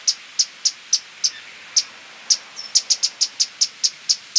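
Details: Violet-crowned woodnymph uttering high, thin chip notes, first spaced out, then quickening into a rapid, even run of about four per second.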